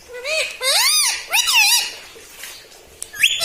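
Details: Pet parrot talking, imitating human words such as "mitthu" and "mummy"; a few quick speech-like phrases with bending harmonic tones fill the first two seconds, followed by a quiet pause and a short high squawk at the end.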